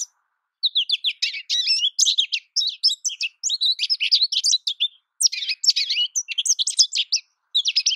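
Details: An American goldfinch sings in two long, rapid phrases of high twittery chirps and warbles, split by a short pause, against a clean, quiet background.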